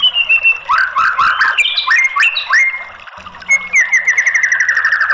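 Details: White-rumped shama lure song, played to prompt a bird that has stopped singing to answer and sing fully. Loud clear whistles slide and step between mid and high pitch, then a long run of rapid repeated notes drifting gently downward.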